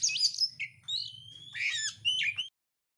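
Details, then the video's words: Oriental magpie-robin, a kept bird singing energetically with its tail opened, gives a few clear high whistled notes, some long and level, others sliding down, then a burst of sharp chirps before falling silent, over a low steady hum. "kacer gacor bukak ekor"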